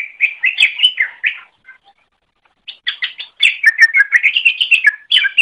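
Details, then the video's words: Greater green leafbird singing as a master for other birds: a run of rapid warbled chirps, a pause of about a second, then a longer, louder stream of varied mimic-like notes. "Masteran Suara Cucak Ijo"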